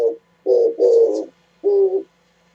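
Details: Low, husky coos from an Oriental turtle dove, recorded 27 January 2017: a short note, a doubled coo, then a single longer note, with faint thin chirps overhead.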